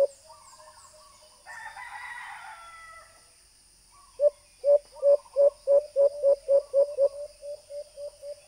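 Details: White-eared brown dove call used as a hunting lure through a Bluetooth speaker: a harsh crowing burst first, then after a pause a rapid string of about twelve low, hollow hoots that fade into softer notes.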